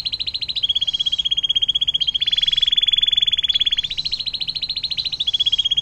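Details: Canary singing the long 'air mancuran' style phrase meant for tutoring other songbirds: sustained rapid trills, roughly twelve notes per second, shifting between slightly higher and lower pitch levels without pause.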